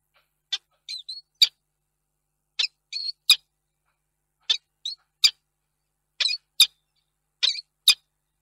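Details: Male peregrine falcon at Reda, Poland, 2 March 2022, calling longingly for an absent female who never came; clusters of two to four short piercing notes with brief harmonic chips between them, groups spaced one to two seconds apart.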